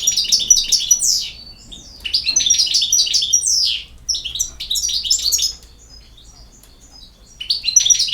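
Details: European goldfinch delivering repeated bursts of fast, jingling twitters mixed with slurred notes, then a silent stretch before the song resumes; quiet background.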